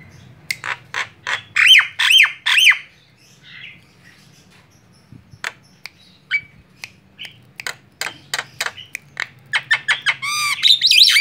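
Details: Lure call of a white-eyed Javan myna to draw in other birds: bursts of harsh chattering notes, scattered clicks and short whistles, building to a loud, rich, rolling chatter at the end.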